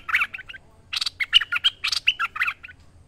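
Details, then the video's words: Bulbul in full song, recorded as a master track for training birds: bursts of rapid chattering, warbled notes with short bright whistles in between, delivered in two clusters separated by brief pauses over a faint low hum. "Merbah Lekir Gacor Masteran Terbaik"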